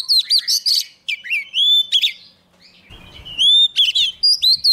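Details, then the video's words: Young Oriental magpie-robin sings hard as a wild bird draws close. Bright whistled slurs and chattering trills come in quick phrases, broken by a short soft rustling noise before the song resumes. "Choè than non lên hót cực sung khi bổi đến gần"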